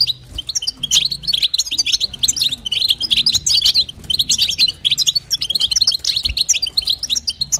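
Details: Female European goldfinch calling to stimulate the male, in the call styles known locally as bitbita and sitsita: dense, rapid high twittering of short tinkling notes that runs almost nonstop, with a faint low hum underneath.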